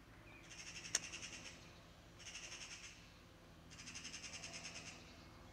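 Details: Eurasian magpie parents calling continuously near a young, barely flying bird perched atop a high Syringa bush while a cat threatens it; three harsh, rattling chatter bursts of rapid pulses, each about a second long, spaced by short pauses.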